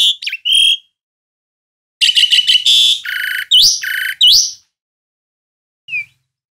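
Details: Asian pied starling kept at home, a bird said to call loudly as a warning: a twisting whistle, a pause, then a dense burst of rattling chirps, buzzy notes and upswept whistles, ending with one faint chirp.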